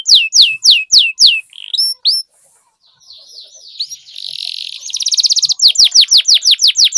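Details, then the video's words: Canary singing to coax other canaries into rolling song: loud descending whistles, brief upward slurs, a soft buzzy passage, a rapid pulsed trill, then renewed falling whistles. "Suara Pancingan Burung Kenari Agar Cepat Gacor dan Ngerol, Masteran Suara Kenari Ngeroll Panjang"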